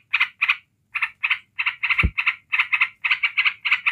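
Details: Yellow-vented bulbul in continuous ngebren chatter meant to provoke other bulbuls: spaced raspy notes that speed into tight runs, with one low thump in the middle.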